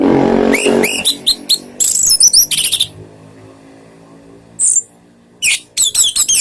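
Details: An Orange-headed Thrush sings rich, varied "ngeriwik" phrases of rapid high whistles and chattering notes in bursts, with pauses between, used as a lure to prompt other birds to answer; a low murmur sits underneath at the start.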